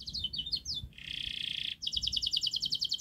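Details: Softer canary model song for young birds: quick repeated sweeping notes, a sustained buzzy roll, then a rapid evenly pulsed trill.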